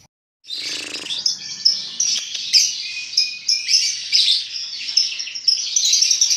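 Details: Lovebird twittering meant to draw other lovebirds into song: after a brief silence, a steady, fast, high-pitched chattering with sharp accented chirps every second or so.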